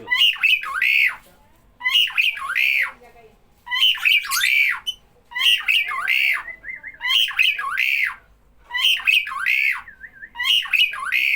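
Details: With people around, a starling repeats clusters of harsh, slurred squawks, about three per group, separated by short silent gaps, plus a brief run of quick wavering notes.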